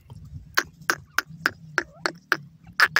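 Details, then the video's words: Francolin (teetar) calling: about nine short, sharp, clipped notes spaced roughly a third of a second apart over three seconds, with a low steady hum underneath. "teetar awaz,partridge sound"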